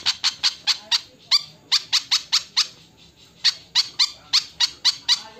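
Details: Javan flycatcher giving its alarm call: harsh, rasping chack notes, about five a second in bursts, with a brief pause midway and a quiet background.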